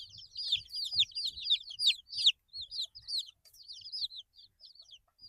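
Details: Baby chickens eight days old give quick high peeps, at first crowded and loud, then thinning out into scattered single down-slurred chirps with brief pauses.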